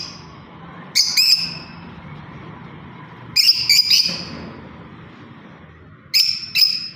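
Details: Lovebird parrot chirping: short bright chirps in pairs around one, three to four and six seconds, high and sharply harmonic, separated by quiet stretches with faint low background hum.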